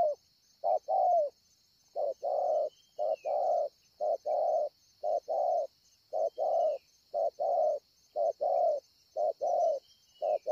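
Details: Wild spotted dove recorded at Ngọc Hồi, Vietnam, 25 March 2020, delivering a long series of soft paired coos, short note then longer drooping note, repeated about once a second beneath an unbroken high-pitched background whine.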